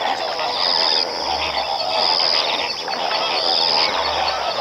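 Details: A combined recording of greater and lesser flamingos: a large flock keeps up a dense, unbroken din of harsh, goose-like honks and chatter, with a thin high whistle returning every second or so.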